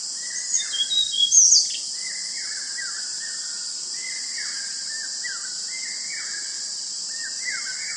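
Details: A juvenile Rufous-bellied eagle in Kanha National Park, Central India, in December 2023, gives thin, downslurred whistled notes about one per second over a steady high insect drone, with a brief knock near the start.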